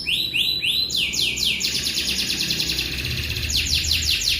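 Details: Canary rolling its song at length: a few rising whistled phrases open, then a long fast buzzy trill of falling notes continues without a break, ending in spaced sweeps.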